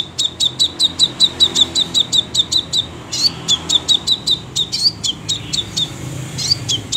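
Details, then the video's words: Crimson sunbird in energetic song: rapid, regular series of sharp high chirps, about two and a half per second, briefly broken then resumed with upslurred twittering notes, over faint low background hum. "sepah raja gacor tembakan rapet"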